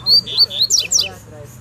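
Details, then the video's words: Wild double-collared seedeater calling for a fight over territory: brief phrase of three sliding whistles followed by two rapid steeply falling buzzy notes, then quiet. "Coleiro Braddock Um Coleiro De Respeito No Mato!!!"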